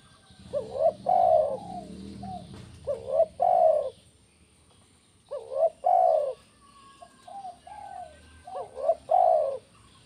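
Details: Spotted dove 'kuk 1' song for rousing doves to call: repeated loud phrases, each a quick rising coo followed by a long deep falling one. Quieter coos sit between the phrases, over a low murmur of background noise.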